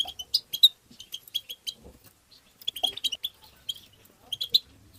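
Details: Chirping of a European goldfinch, played to stimulate goldfinches: tinny, high-pitched tweets in short bunches, a lively cluster at the start, a pause, then more rapid twitter runs.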